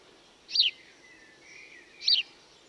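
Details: Two bright, clipped house sparrow chirps about one and a half seconds apart, each a quick descending note, with faint background hiss between.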